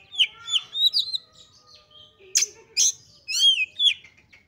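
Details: Highly excited Oriental magpie-robin song, used to provoke other magpie-robins to sing: quick whistled slurs and chirps, then loud harsh rasping notes and bright downslurred whistles.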